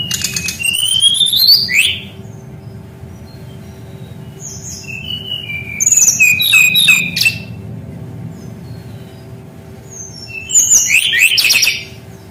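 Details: Steady, rolling song of a brown-chested jungle flycatcher for training birds not yet singing: three bursts of high rising whistles, trills and sliding notes, each about two seconds, with quiet gaps and constant low hum.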